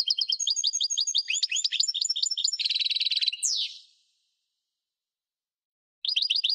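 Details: European goldfinch singing a long, continuous, rapid twittering phrase of tinkling and chirping notes with a buzzy rattle near the end, then a pause before the song resumes.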